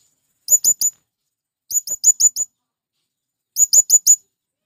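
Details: Male blue-crowned hanging parrot calling to companions, used to attract wild birds; three quick bursts of three to five shrill, thin, very high chirps separated by silent pauses.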